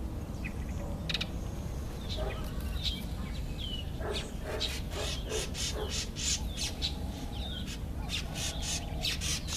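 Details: Black-eyed bulbul eating an apple. Short, sharp chirps and slurred whistled notes arrive in quick, irregular bursts over a steady low rumble of background noise.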